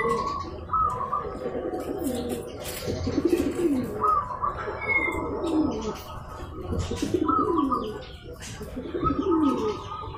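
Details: Local zebra dove used to provoke rivals into calling back: soft, fanning low coos repeated roughly every three seconds, broken by short higher trills and scattered clicks from nearby.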